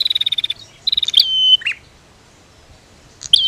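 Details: Prinia duet, female against male: two quick rattles of sharp ticks, then a clear whistle that drops and holds, followed by a low buzz. After a quiet pause, another sharp whistle begins.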